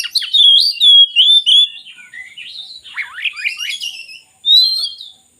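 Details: Oriental magpie-robin singing, a recording meant to prompt reluctant magpie-robins to sing: loud, sustained, clear whistled notes open the phrase, followed by quieter scratchy, twittering notes and a final bright whistle.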